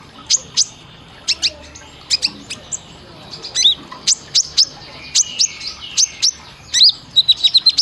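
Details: Training recording of sunbird song for caged birds: piercing high chirps and brief downslurred whistles, spaced unevenly, ending in a fast run of repeated sharp notes.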